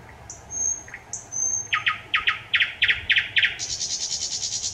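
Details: Thrush nightingale singing on 25 May 2021: thin high whistles, then a run of loud repeated chock-like knocking notes about five per second, ending in a fast dry rattling trill.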